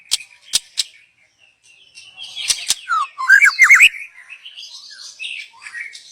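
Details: Wild young white-rumped shama from the forest, its song used as a lure; a few sharp clicks, then a burst of loud rapid slurred whistles followed by softer high warbling notes.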